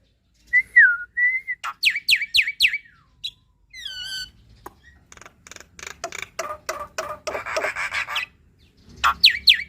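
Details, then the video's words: Black-winged starling in full, chattering song with varied fill-in phrases: downslurred whistles, a run of sharp repeated downsweeping chirps, warbled harmonics and buzzy rasping notes, with short pauses between bursts. "Jalak Putih Gacor Full Isian - Masteran Dan Pancingan Burung Jalak Muda Dan Jalak Malas Bunyi"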